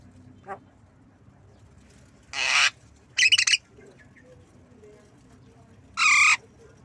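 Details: Javan myna learning to cough, three separated bursts: a long hoarse rasp, a stuttering broken cough-like squawk, and another harsh grating note, spaced a few seconds apart with faint clicks between.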